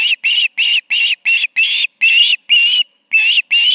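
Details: Two ospreys at the Charlo nest in the evening, 20 August 2019: loud, rapid, piercing chirped notes repeated about three per second, each slightly rising and harsh, with one brief pause before the series resumes.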